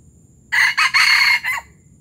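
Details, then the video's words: Close, loud junglefowl crow from Palembang, termed gerabas: a brief opening burst, a short second pulse, a long rasping middle phrase and a clipped final note, all within about 1.1 seconds in near silence. "Ayam hutan palembang gerabas gerabas"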